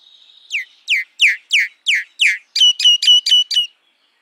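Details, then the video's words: Common myna, also called Indian myna: a loud series of harsh, downward-sweeping notes about three per second, then a quicker run of five clipped, ringing notes, after a faint steady whistle at the start. "Common Myna Sound ! Common Myna Song ! Common Myna Call ! Common Myna Vocal ! Common Myna Voice"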